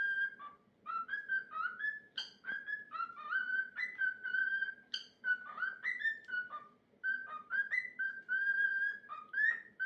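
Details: A pet cockatiel sings its own made-up songs and dances to its favourite obsession, a foot: a run of clear whistled phrases with quick rising and falling slurs.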